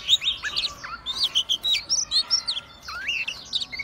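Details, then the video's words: Oriental magpie-robin with tail spread and body swaying. It sings a quick run of clear, looping whistles and upward-flicked notes, breaks off briefly, then resumes with rising slurred phrases. "Burung Kacer Gacor Buka Ekor Sambil Goyang"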